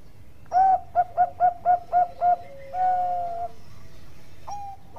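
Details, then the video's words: Bangkok-type zebra dove in full song for tutoring other birds: six quick, clipped coo notes, then a long level coo and a softer note after a pause, quiet background. "Perkutut Bangkok Gacor Ampuh buat masteran"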